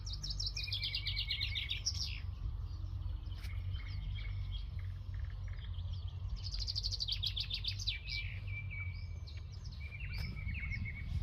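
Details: Birds singing in a village: bright, rapid trilling phrases of high chirps repeat in bursts about every five seconds, with thinner calls between, over a steady low rumble of background noise.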